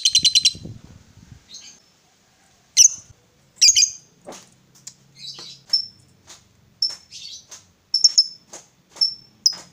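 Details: Female fighter lovebird, kept as a cage bird, uttering sharp high chirps in short bursts separated by pauses, some notes clipped and metallic, with a brief low rumble at the start.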